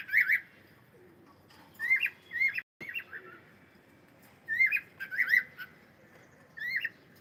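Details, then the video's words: Cockatiel singing, pet bird: short warbled whistle phrases in clusters, each a quick rising-and-falling wavy note with bright harmonics, repeated in bursts with pauses, one brief dropout in the middle. "cute Cockatiel sound and singing"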